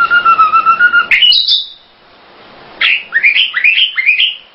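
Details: Tledekan londo bird: a steady whistled tone pulsing about nine times in one second, a brief sharp upslur, then after a pause a rapid series of bright, rising chirps.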